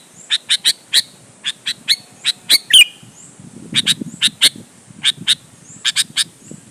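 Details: Sooty-headed bulbul in a lively song to provoke rivals into singing: rapid runs of bright chips, one squeaky slurred phrase near three seconds, and soft low background noise.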